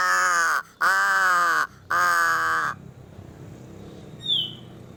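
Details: Crow uttering an unusual call: three loud, rasping, nasal caws in quick succession, each about a second long, followed by quiet and a faint high chirp from another bird.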